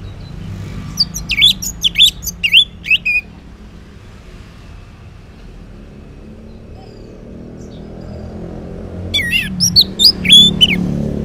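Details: Orange-headed thrush morning song meant to make silent males answer: two bursts of quick twisting high notes separated by a long quiet stretch, with a low rumble beneath throughout.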